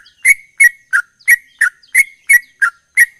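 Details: Fast ropel-style song from a sooty-headed bulbul, nine clear whistled chirps in about three seconds, fairly evenly spaced, alternating level and downward-dipping notes in a quiet setting.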